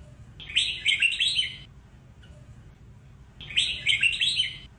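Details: Red-whiskered bulbul (Pycnonotus jocosus), song.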